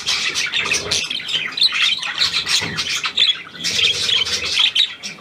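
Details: A new hand-tame Australian pied budgerigar, recorded on 17 February 2023, gives busy, raspy chatter mixed with sharp squawks and chirps in two bursts separated by a brief lull.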